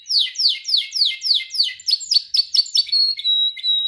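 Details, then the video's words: Caged canary in song training: a series of loud downward-sweeping whistled notes, about three per second, quickening into clipped chips and ending with thin sustained high whistles. "Your canary sings immediately when he listens to this canary singing"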